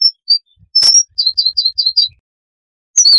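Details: Siberian rubythroat, a small insect-eating songbird, heard in a noise-reduced recording: a run of short high chirps, five or six in quick succession, then a pause and another bright burst.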